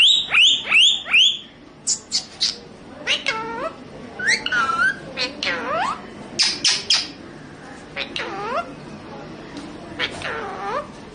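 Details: Indian parrot that talks in Hindi, giving a fast burst of harsh high squawks, then a string of separate downward-sweeping, speech-like cries spaced about a second apart.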